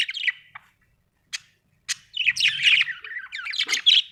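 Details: A few isolated sharp chirps from household budgies lead into a continuous, twittering warble of high notes rising and falling.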